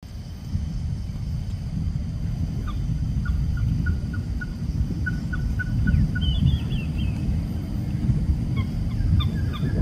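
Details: Oriental pied hornbill in Singapore giving a run of short, evenly spaced honking notes, then higher squeaky cackling notes toward the end, all over a steady low rumble of background traffic.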